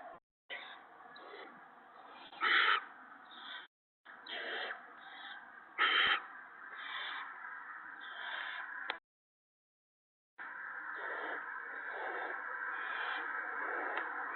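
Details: Owlets and an adult owl at the nest during a gopher feeding on the evening of March 28, 2017. Harsh, noisy rasps come in uneven bursts, two of them much louder, with brief silent breaks between sections.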